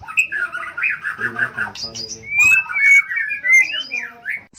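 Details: Long-tailed shrike (cendet) singing varied mimicked phrases for training other songbirds: harsh scratchy warble, then clear rising and falling whistles and a twisting slurred note.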